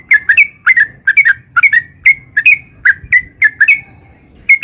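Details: Yellow-vented bulbul (trucukan) singing hard, recorded as a lure: quick pairs and triplets of mellow, warbling whistles with sliding tails, evenly paced, over a faint low rumble.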